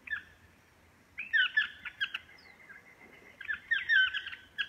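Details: Chestnut-mandibled toucan calling: after a quiet second, two bursts of loud, nasal, yelping notes with a wavering, slurred pattern, separated by a drawn-out steady tone and softer clicks, in a natural outdoor setting.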